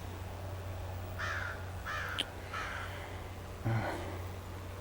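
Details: Crows, upset and perched in a tree in New Hampshire, USA, on Oct. 27, 2025, near a turkey killed by a predator, give four harsh, nasal caws spaced less than a second apart, over a steady low hum.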